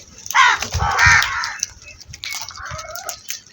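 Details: Crow giving a harsh, drawn-out caw with layered harmonics, followed by quieter rasping calls and low rumbling background noise.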